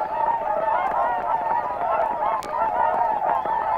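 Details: Whooper Swans at Matsalu on a 1979 field recording: crowded, continuous trumpeting, short honks rising and falling in quick overlapping succession, a few louder clear notes standing out from the flock.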